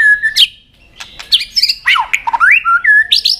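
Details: White-rumped shama in contest singing, fired up and continuously switching among many wild-forest phrases: clear whistled notes, sharp upslurred and downslurred sweeps, and high chips tumbling quickly after a short early pause.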